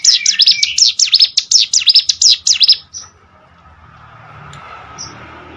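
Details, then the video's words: Hill prinia singing as training audio for competition birds: a quick run of high, sharp, up-and-down slurred notes for about three seconds, then near silence with faint low background hum. "CIGUN ATAU PRENJAK GUNUNG!!! MASTERAN UNTUK BURUNG LOMBA"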